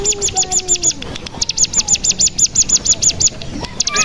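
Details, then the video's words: Lure recording of bar-winged prinia (cigun) used as a singing trigger and tutor: two fast, regular strings of piercing high notes, a short one and then a longer one of about a dozen, with a lower whistle near the start. "Pancingan Cigun Bahan Agar Bunyi Langsung Ngebren"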